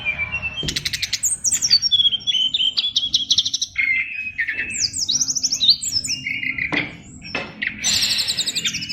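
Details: Fighter-class caged oriental magpie-robin delivering a dense 'isian luber' song: rapid stuttering trills, high thin whistles and harsh chattering bursts in a continuous stream over a steady low background hum.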